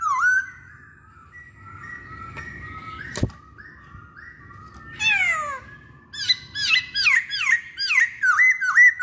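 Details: Masked laughingthrush, used as a lure to make other masked laughingthrushes sing: loud whistled phrases around the middle pitch, a sliding descending burst, then a rapid run of repeated looping, rich notes near the end, with quieter warbling between.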